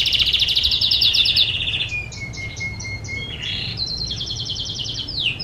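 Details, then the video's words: Canary singing, a recording meant to train other birds to sing: fast buzzy rattling trills around high pitch, then a long steady lower whistle, then clipped repeated notes and a final rapid trill. "Best Canary Bird Singing _ Training Canary bird"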